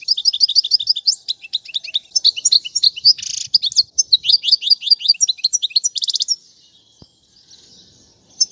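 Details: Goldfinch song for teaching chicks: fast repeated chirps and twittering trills with a harsh buzzy burst near three seconds, fading into near quiet after six seconds with a single click.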